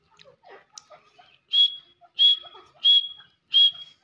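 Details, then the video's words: A big grey francolin gives four loud, shrill whistled notes, evenly spaced about two-thirds of a second apart, after a stretch of faint, scattered chirps. "Grey Francolin voice"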